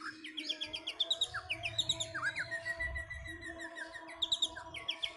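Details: Pet Orange-headed thrush in its cage before a bird contest, singing a continuous fast medley of short whistled and warbled notes rising and falling, over a steady low hum.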